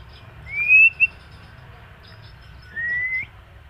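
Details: White-rumped shama in moult: two clear whistled notes, first rising and slurred near one second, a second flatter rising whistle after a pause, over quiet low background hum.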